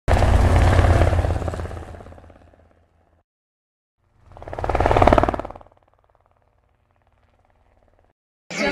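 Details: A low, rumbling vehicle passes twice with silence between, and no animal calls are heard.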